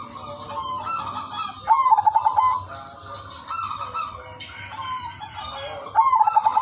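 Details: Melodious zebra dove song from an udanmas silver bird used to entice other doves: repeated phrases of rapid staccato cooing beats separated by softer coos, set against a constant high hiss.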